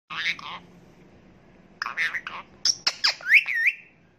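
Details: Indian ringneck parakeet talking, a parrot known for saying 'Assalamu alaikum': a raspy, speech-like burst, a pause, then another voiced phrase ending in sharp squeaks and two bright rising whistled notes.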